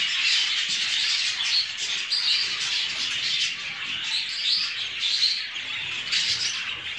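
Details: Show jumbo budgerigars being bred, their mingled chirping and warbled contact notes forming a dense chorus with irregular louder peaks.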